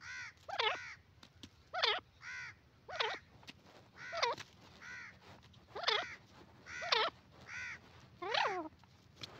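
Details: A steady series of grey francolin calls: loud, grating, wavering notes repeated roughly every second, each followed by a softer echoing note, continuing for nearly ten seconds.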